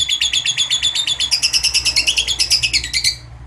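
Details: A lovebird delivers its long ngekek trill, intended to provoke other lovebirds to sing: rapid, regularly pulsed high chattering notes running continuously for about three seconds before stopping abruptly.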